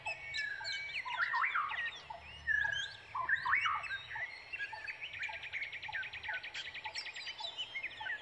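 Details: Young brown prinias begging as they wait for a parent returning with food: scattered squeaky chirps and slurred notes, then a fast, even buzzy rattle lasting about two seconds, with a soft low background hum.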